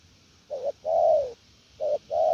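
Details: Spotted dove in "gù lèo nước" coo style, a brief low note then a long smooth falling coo, followed by another short note and the start of a further long coo.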